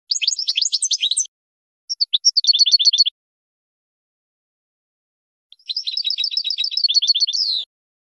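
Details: Goldfinch song for training young birds: jumbled twittering opening, a short pause, a run of evenly repeated tinkling notes, then after a silence a long rattling, buzzy trill of rapid chirps.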